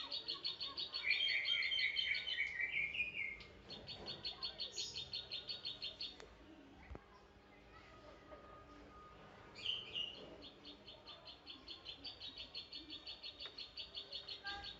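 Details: Kept klik klik bird, the zitting cisticola, also called prenjak padi or eyer eyer, giving lively fighting song: long series of rapid high ticking notes, a pause mid-way, then more; another bird's lower trill early on, faint background noise.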